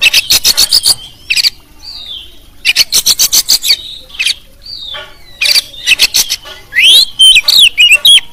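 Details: Champion kacer, a caged competition songbird, used as a training tutor with many fill-in phrases: loud bursts of rapid harsh clicking notes alternate with clear, slurred whistles sliding down, ending in sweet rising and falling whistled phrases.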